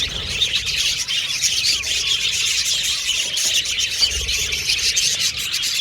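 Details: Pet budgerigars giving squealing, squawky chirps amid constant high twittering from many birds, the flock's chatter continuous and rough-edged.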